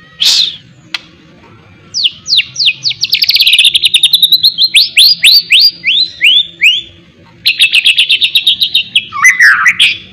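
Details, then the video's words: Long accelerating series of downward-sweeping whistles from a white-rumped shama trained with miwah imitation, leading into a quick high rattle of repeated notes and a wavering warble at the close. "melatih mintal burung muray batu isian miwah pul gacor"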